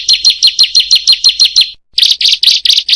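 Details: Bar-winged prinia (ciblek/prenjak) training recording to encourage reluctant birds to sing: rapid repeated chirps with a downward flick, about six per second, then a short pause and a harsher, buzzier run of notes.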